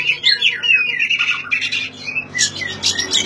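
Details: Brief oriental magpie-robin song, used to trigger singing in silent birds: sliding whistles and a long warbled phrase, followed by harsh scratchy notes.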